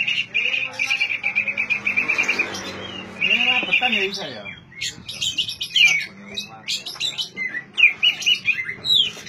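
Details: Oriental magpie-robin song used to prompt silent magpie-robins into singing: bright whistled notes in a rapid repeated series, followed by varied chirps and sweeping phrases, with faint background music.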